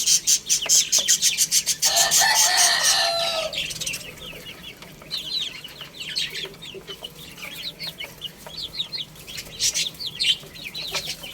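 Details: Baby chickens feeding and playing; a run of loud rhythmic taps and a harsh, noisy burst open, followed by many high, downward-slurred peeps from several chicks.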